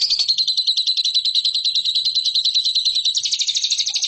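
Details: Lovebird training song for competition birds: one continuous shrill chattering trill of rapid pulsed notes, about three per second in beat, growing harsher and louder near the end.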